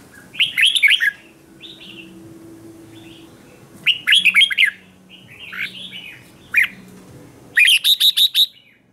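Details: Red-whiskered bulbul in morning song training, 'hót đấu' fighting style: four chattering phrases of slurred notes, the last ending in a fast run of five evenly spaced bright notes.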